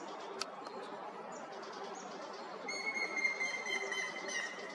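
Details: A male grey-headed woodpecker calls loudly from the top of a dead pine at sunset in a recreation area, 20 March 2024: a clear, whistled, ringing series in the last two seconds over steady hiss of wind or distant traffic.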